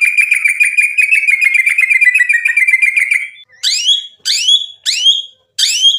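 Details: White-rumped shama delivering a rapid chattering series of buzzy notes for about three seconds, then separate loud descending whistled phrases repeated roughly every half second.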